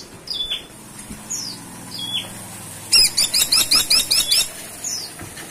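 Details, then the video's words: Caladi tikotok woodpecker, calling actively: a few soft falling chirps, then a quick run of about eight sharp high hooked notes over a second and a half, followed by a single faint note. "Burung Platuk Caladi Gacor Ngeplong"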